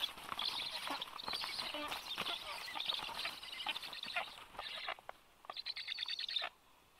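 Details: Black stork (Ciconia nigra) parent bringing food to nearly grown, still flightless young at the nest, Karula National Park, Estonia, 30 July 2022: harsh, hissing, rasping calls in a dense run, ending with a quick burst of scratchy pulses before fading.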